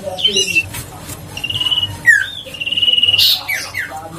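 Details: Huyt co bird, a lure to excite other birds into song: several level drawn-out whistles with a trilled texture, separated by brief sharp down-slurred notes, over a soft background hum.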